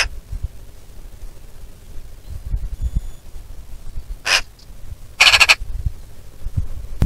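A Eurasian magpie gives two short, harsh, rasping calls about a second apart, the second with a chattering rattle, over low wind rumble.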